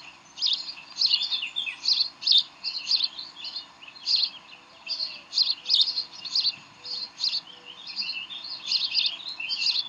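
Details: Decorah bald eagles at the nest on an evening in May 2012, during tug-of-war play: steady run of high, sharp chittering notes, bursts every half second or so across ten seconds, with faint low hum behind.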